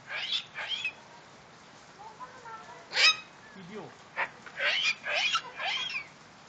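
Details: A female pet medium sulphur-crested cockatoo, happy after seeing rain, gives about eight harsh raspy squawks and screeches in uneven bursts, with softer chattering, talk-like notes between them.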